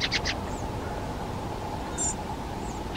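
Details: Fieldfare (Turdus pilaris): three quick harsh, broadband chack notes at the start, then faint high thin notes over a steady low hum.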